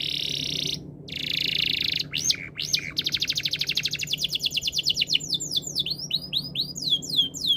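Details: Canary song with a sustained buzzy note, a few sharp upswept chips, a long fast trill, and then slower, looping whistled sweeps.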